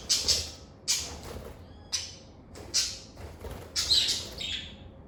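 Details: Lovebirds singing and chirping, with bursts of harsh, scratchy screeches about once a second, some bursts doubled, and a brief thin whistled note between them.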